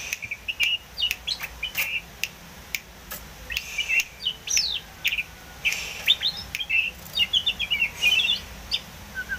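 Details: Wild Oriental magpie-robin in full song: fast runs of short sweet whistles and chirps, sometimes quick trilled figures, mixed with crisp clicks, repeated almost without break for over nine seconds.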